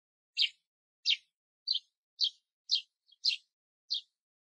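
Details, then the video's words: A male Eurasian tree sparrow sings a string of harsh, bright chirps, roughly two per second, with no other sounds. "スズメ♂ 鳴き声Song / Eurasian Tree Sparrow"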